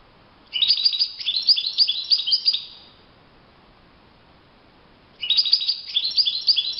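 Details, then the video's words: Goldfinch in natural surroundings delivering a bubbling, twittering song phrase of about two and a half seconds. A quiet gap of a couple of seconds follows, then a new burst of jingling notes begins. "chant chardonneret le Roi de la nature- Le chardonneret en pleine nature"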